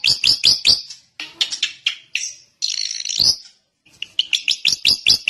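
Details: Varied drongo song: sharp high chips, a scratchy jumble of notes, a brief harsh rasp, then more quick, bright chips after a short pause.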